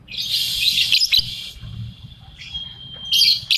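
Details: Molting lovebird singing 'ambrol' in the 'konslet' manner: a burst of scratchy, high chatter, then a long thin whistled note held steady for about two seconds, ending in another squeaky burst.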